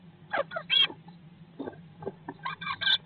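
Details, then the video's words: Nest box holding Eurasian blue tits, 19 days after the eggs hatched in May 2022; rapid raspy chirps come in three or four brief clumps within a few seconds, with a constant low electrical hum beneath. "Bluetit in the nest box - Day 19"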